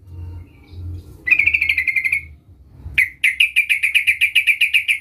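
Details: Sooty-headed bulbul calling a rival, beginning after a quiet stretch with a brief rapid trill, then a longer run of evenly spaced, sharp chattering notes continuing to the end.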